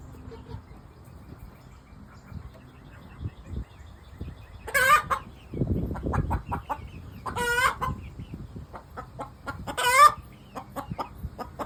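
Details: An Easter Egger hen vocalizes after laying an egg. Three loud, strained squawks arrive about every two and a half seconds, each trailed by rapid short clucks, over soft low rumbling.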